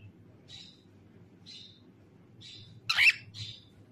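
A cockatiel gives short, bright chirps about once a second, then one loud harsh squawk and another chirp, over a low steady hum.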